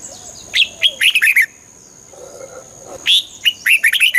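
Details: Red-whiskered bulbul singing, played to excite a bird: two bursts of short, loud, rising and falling whistled notes in quick runs, separated by a quiet pause with faint softer calls.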